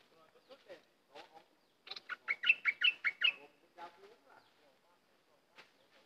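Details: Cream-vented bulbul singing a quick run of about seven bubbly, slurred two-tone notes midway, with softer scattered chirps and clicks before and after.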